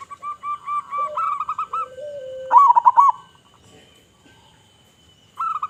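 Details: A local zebra dove with a big voice sings to attract other zebra doves, giving fast trains of staccato coos, a low drawn-out note, then a louder trilled burst before a pause and another phrase.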